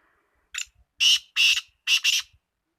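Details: Black francolin, locally called kala teetar: a short faint note, then three loud harsh rasping bursts over about two seconds, the last one doubled, against a silent background.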